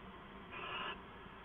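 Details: Owl calling at night, just before midnight on 2 September 2014: one harsh, breathy screech of about half a second, spread broadly across mid and high pitches, over a steady low background hum.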